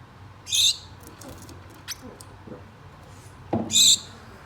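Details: Two pet Gouldian finches kept indoors, calling to a mate: two short, harsh, high calls about three seconds apart, with faint clicks and a soft low thump between them over a quiet room hum.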